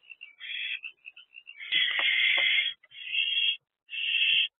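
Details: Owlet trio in the nest box, morning of 13 April 2024: soft chirps lead into a loud drawn-out rasping screech of about a second, followed by two shorter hisses.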